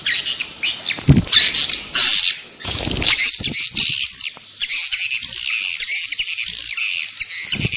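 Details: Swiftlet lure calls to draw in swiftlets: continuous shrill, buzzy chattering in high, wavering notes, broken by brief gaps and a few low thumps.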